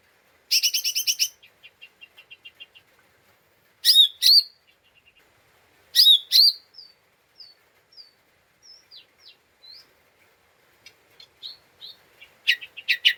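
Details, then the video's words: Excited lesser green leafbird in a provoking 'ngeriwik' lure: harsh rasping bursts separated by fading trills, thin whistled slurs and scattered chips, ending in another loud rasp. "Pancingan Cucak Ijo Mini Cimin Malasa bunyi / ngeriwik / Emosi tidak stabil"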